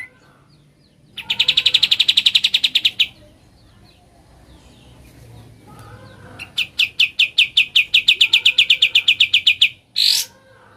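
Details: Sooty-headed bulbul singing in ngebren style: two bursts of rapid, evenly spaced sharp chips, about sixteen then twenty-four notes, separated by a pause with faint background chatter.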